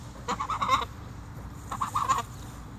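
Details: Two Sebastopol geese acting as guards, protecting their owner from dogs; two short bursts of harsh, nasal honks, each a quick run of three or four notes, separated by a pause of about a second.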